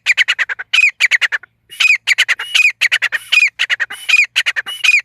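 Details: Hunting-lure call of the grey francolin, locally desi or gora teetar: dense runs of loud, harsh, clipped notes punctuated by upward-sweeping squeals, going on almost without a break; no other sounds.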